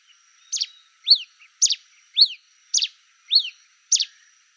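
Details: Red pileated finch singing a rapid series of seven high, thin notes in four and a half seconds, alternating crisp downward-sliding chips with doubled stuttered notes, steady and evenly paced, with a faint high background tone.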